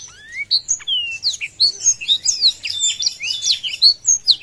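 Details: A Black-throated Canary sings with wings spread to provoke a rival, a fast, unbroken run of high, sweet whistles, slurred chirps and trills, varied notes following several times a second.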